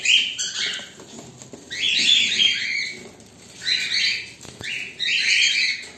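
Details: Waiting pet cockatiels, a black bird and a white bird, utter clusters of grating, high-pitched screeches separated by short pauses, with soft rustling between the bursts.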